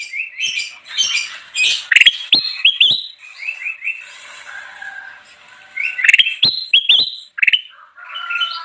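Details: Bulbul singing lively, used for luring wild birds: busy chattering and rising whistled notes with crisp clicks, a quieter stretch of softer notes midway, then another loud chattering, clicking burst.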